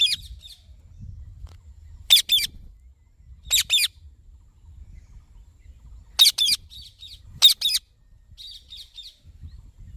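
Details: Indian ringneck parakeet, green, uttering spaced pairs of shrill screeching calls every one to two seconds, with softer chattering notes between bursts.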